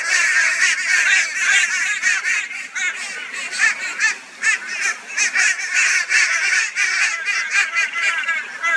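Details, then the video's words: Brisbane, Australia, 22 February 2022: a flock of crows mobs a barn owl with high-volume raucous calling, dense overlapping hoarse caws about two or more per second, loud throughout. "Crow Reacts to Barn Owl with High Volume Raucous Noise"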